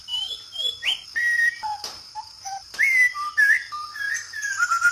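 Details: White-rumped shama, known locally as murai batu, from Sabah, Borneo: clear sustained whistles at shifting pitches, some rising sharply, others held flat, over a constant high insect drone.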